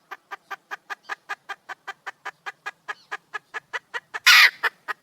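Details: Hen of the red junglefowl calling for a male partner, an even run of crisp clucks about four per second, interrupted by a loud harsh screeching burst before the clucks resume briefly.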